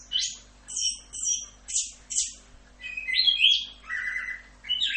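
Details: Orange-headed thrush singing a full 'Rock'n Roll' style masteran song: varied high whistled and slurred phrases, some rising and some falling, in quick bursts separated by short pauses, with a faint low hum beneath.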